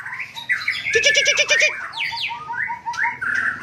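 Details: White-rumped shama of the Aceh type from Cot Goh, Bireun, Aceh province, singing a varied phrase: clear rising and falling whistles near the middle range, a burst of rapid harsh pulsed notes, then a run of short repeated whistled slurs.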